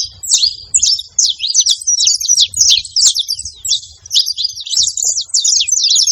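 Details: Saffron finches making noise at a feeding spot: rapid, high twittering notes run almost without pause, with soft low thumps in the background.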